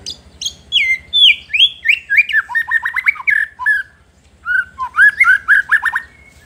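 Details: White-rumped shama song used to provoke rival shamas: loud falling whistles leading into a quick series of rhythmic, descending slurred notes, a brief pause, then another rolling phrase.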